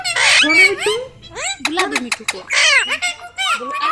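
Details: Talking ringneck parrot, close by, delivering raspy speech-like phrases separated by clicks, with curved, sliding syllables recurring in two main bursts.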